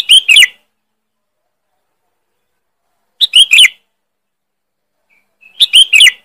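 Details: Loud, sharp lure call of a sooty-headed bulbul: three harsh, chattering double chirps spaced roughly two and a half seconds apart, separated by silence.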